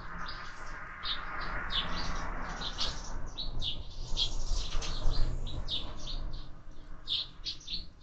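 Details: Sparrows being fed in summer chatter as a dense flock, chirps tumbling over one another several per second, backed by a broad rushing and murmuring background.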